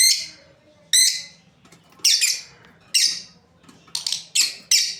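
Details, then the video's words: Lovebirds from a breeding pair chirping in harsh, shrill bursts, some single and some doubled, about eight calls in five seconds, quickening toward the end. "Beautiful lovebirds chirping sounds"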